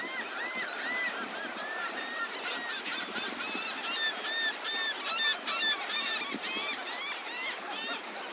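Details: Many seagulls gathered at a beach in Delnor-Wiggins Pass State Park, Naples, Florida, one morning; overlapping squealing, arched calls that grow louder and sharper midway, with a soft background hiss of surf.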